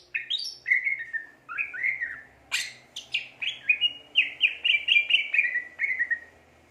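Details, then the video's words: Greater green leafbird (cucak ijo) singing gacor: rising whistles, sharp clicks, then a fast repeated run of bright slurred whistled notes, about four a second. "burung cucak ijo gacor"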